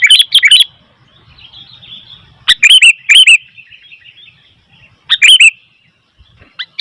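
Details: Sooty-headed bulbul calling noisily, giving clusters of two to four rich, slurred chirps every couple of seconds against a quiet background.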